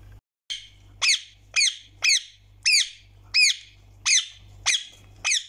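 A rose-ringed parakeet gives harsh, high squawking calls, each a brief downward-bending screech, repeated about every half second; a faint low hum underneath.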